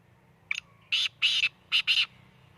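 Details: Black francolin calling in Khushab: one short harsh note followed by two longer rasping buzzy notes, a brief pause, then two joined grating notes, the whole phrase lasting about a second and a half over a faint low hum.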